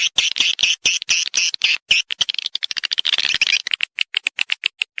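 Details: Swiftlet lure sound to attract birds to breed in a swiftlet house: dense volley of rasping chirps and clicks that speeds into a chattering burst, then gives way to thin rapid ticks.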